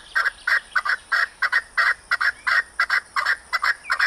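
An Arabian partridge gives a fast run of harsh, clucking chuk notes, some doubled, about four a second, over a steady thin high-pitched whine.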